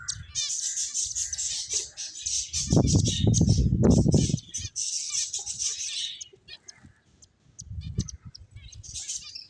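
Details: A busy chorus of high finch chirps fills the first two thirds, broken by heavy low fluttering or wing noise, then quieter scattered chirps.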